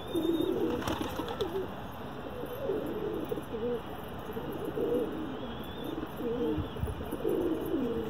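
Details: Pigeon cooing, with low throaty coos repeated in uneven bursts through the clip over a steady background hiss and a faint high whistle.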